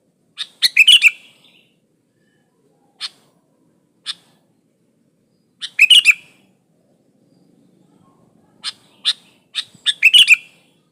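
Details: Sooty-headed bulbul singing, plain recording without added songs of other birds, used to get other bulbuls singing: bubbly phrases of quick liquid notes recur every few seconds, mixed with single short sharp chips.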